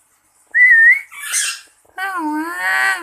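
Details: Pet lory answering a person's whistle, tested from a distance: a clear steady whistled note is followed by a noisy burst, then a long, rich, wavering harmonic call.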